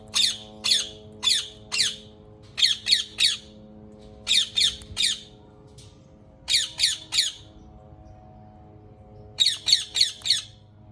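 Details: Rose-ringed parakeet screeching in rapid clusters of three or four harsh, piercing calls separated by brief pauses, over a faint low steady hum.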